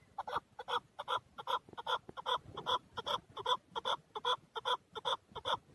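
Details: A male chukar partridge from Darvoz, Tajikistan, 2020, delivers very evenly spaced, loud, rasping chuk-chuk clucks, roughly two and a half per second, rich in ringing upper tones.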